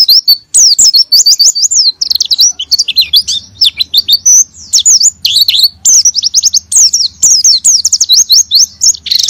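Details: Oriental white-eye in full, persistent song, used as a lure to make quiet white-eyes sing in the ngalas and nembak styles. Very high, rapid twittering runs of sliding whistled notes, some fast trills, nearly continuous with brief gaps. A faint low hum lies beneath.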